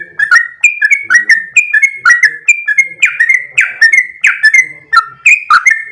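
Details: Sooty-headed bulbul singing actively in a long rapid 'ropel' style: a steady run of loud clear whistled notes, each dipping or sliding, about two per second for six seconds.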